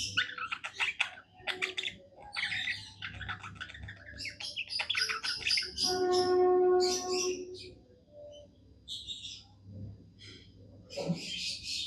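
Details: Happy pet budgerigar song: fast high chirps and scratchy twitters in rapid series, broken midway by a steady droning tone lasting about two seconds, then more chattering, with a low hum throughout.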